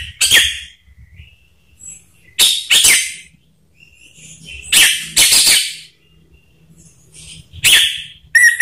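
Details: Lure song of an orange-headed thrush meant to stir silent birds into singing: loud harsh bursts every two to three seconds, some doubled, with faint chirps between and low background rumble.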